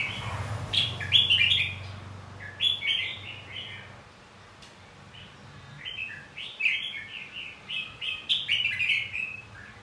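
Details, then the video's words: Red-whiskered bulbul in fighting song, used to coax newly caught bulbuls to sing: lively warbled bursts, a quiet gap, then a rapid run of bubbling whistled notes with a low hum early on. "Luyện giọng hót chào mào. Kích chào mào hót đấu."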